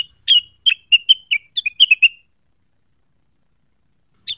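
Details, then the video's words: Cucak wilis singing in a lively, clear run of about ten quick whistled chirps within two seconds, triggered by a call and looking for a rival, followed by silence and one final note. "Rengganis gacor neritik mencari lawan, pancingan cucak wilis cepat emosi terpancing bunyi"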